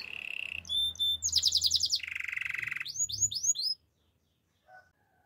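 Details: Canary song of short high tones, a pulsed trill and a low buzzy roll, then four bright rising whistles before falling silent.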